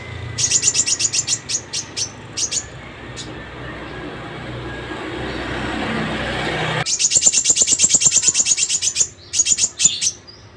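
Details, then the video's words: Sogon singing in the morning: bursts of sharp, high, rapidly repeated ticking notes, a pause with broad background noise, then a faster dense run of the same clipped notes and a final short series. "kicauan sogon pagi hari"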